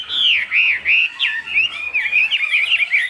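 A Chinese hwamei sings a loud, rich run of looping whistles and rapid slurred phrases, shifting quickly between high sweeping notes.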